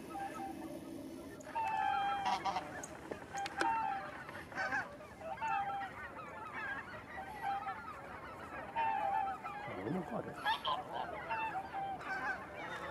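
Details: Taiga bean geese at Kabukuri-numa, Japan, recorded 14 December 2019: a flock giving repeated nasal honks with short level tones, many birds calling over and between each other, with a steady background murmur.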